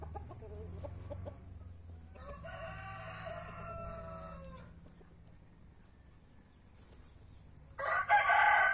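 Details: Rooster crowing among free-range back-yard chickens, brahma, marans, naked neck and white star breeds; a rich harmonic crow of about two and a half seconds over a low hum, then a loud burst of noise at the end.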